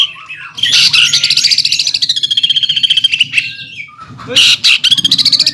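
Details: Fierce greater green leafbird song in the 'nembak ngeroll' style: a long, very rapid high rattle lasting about three seconds, a pause, then another buzzy burst, over a low background hum.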